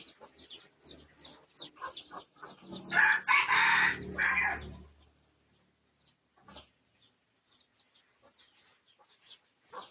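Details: Pradu-coloured red junglefowl filmed for research, 18 August 2023; scattered short clucks give way to one loud, harsh, sustained crow lasting nearly two seconds, followed by quieter sparse notes.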